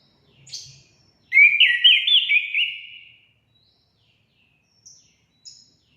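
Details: Orange-headed thrush song, used to stimulate caged birds to sing: a faint high note, then a loud run of slurred whistles stepping between mid and higher pitches for about two seconds, with soft high chips afterward.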